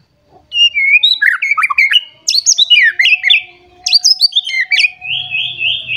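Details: Agitated white-rumped shama seeking a rival delivers varied high whistles, sharp chips and trilled phrases in bursts, ending in a long rapid warbling trill; a faint steady hum runs beneath.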